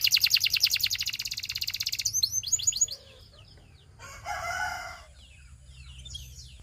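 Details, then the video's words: Belgian singing canary song: a fast, high trill of about ten notes a second, then slurred falling notes, a brief harsher lower phrase and soft closing chirps. "A Special Canary to Seduce All The Canaries - The Belgian Singing Canary"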